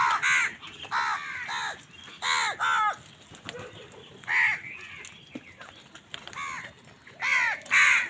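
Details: Many crows fighting with wild birds for food in the morning: harsh, arched caws given in loose bursts of two or three, with pauses between groups and faint background noise.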